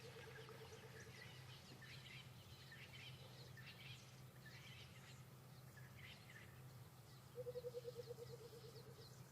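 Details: Burchell's coucal (rainbird), heard near a waterhole on an 18 January afternoon safari drive, gives its distinctive low, bubbling run of hollow notes slowly dropping in pitch, over many chirping birds and a steady engine hum.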